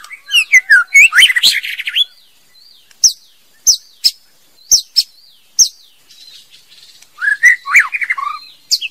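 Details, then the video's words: Female white-rumped shama delivering a burst of rich whistles and chatter, then a spaced series of short, sharp high clicks roughly every half second, before another jumble of fluty, warbling notes. "TIẾNG CHÒE LỬA MÁI HÓT CHUẨN MỚI NHẤT"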